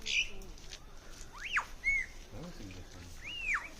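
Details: Lyrebird near Sydney mimicking typing, kids' toy guns and other birds: loud whistled notes sweeping up and down, a slurred double whistle, and lower buzzy harmonic phrases in between, over a faint rustling background.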